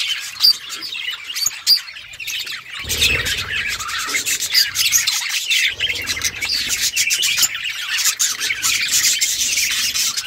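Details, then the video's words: Budgerigars playing, with busy high warbled chirping and harsh chatter, plus soft rubbing and scraping noises partway through. "Budgies playing with each other birds chirping sounds"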